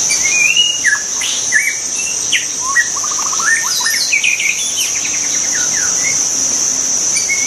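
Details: White-rumped shama singing in the wild, a lively run of sweeping whistles and a rapid rising string of short staccato notes, backed by a constant shrill insect chorus.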